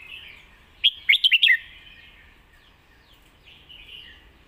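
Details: Lak Wai song of a Red-whiskered bulbul, a master song style: four quick liquid whistled notes, the last one slurring downward, then soft distant chirps from other birds.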